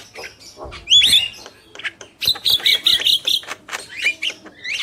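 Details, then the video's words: Black-winged myna, male and female, with a loud harsh squawk followed by a chain of buzzy, strident notes and brief whistles. "Jalak Kebo Gacor | Burung Jantan dan Betina"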